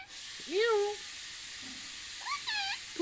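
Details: Pet parrot talking, giving a two-syllable word in a rising then falling, harmonic-rich voice, followed by a softer pair of syllables near the end. A steady hiss runs underneath.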